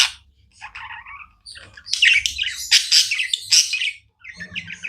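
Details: Budgerigars keep up constant chirping, starting softly with buzzy notes, then swelling into loud, raspy squawks and bright chirps before a short pause and quieter chatter.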